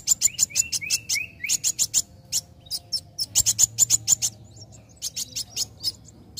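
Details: Young sunbird, its song meant to provoke others into singing: quick high chirps mixed with short upward-sliding whistles, then dense bursts of sharp ticking notes that fade into scattered calls.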